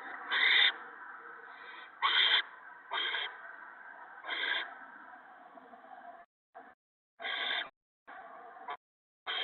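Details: Adult owl feeding gophers to owlets at the nest on the evening of March 28, 2017; a run of about nine irregular harsh hissing screeches, loud and soft, broken by brief silent gaps near the end.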